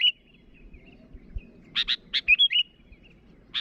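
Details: Sooty-headed bulbul calling a rival, with a short whistle, then a pair of harsh chips leading into a quick rising and falling liquid whistled phrase, some faint low thumps in the background.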